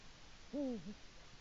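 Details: Eurasian eagle-owl male on the nest, Latvia, early morning of 5 March 2018, live nest camera, calling to his mate: one deep hoot that swells and drops off in a curved slur, trailed by a brief softer note.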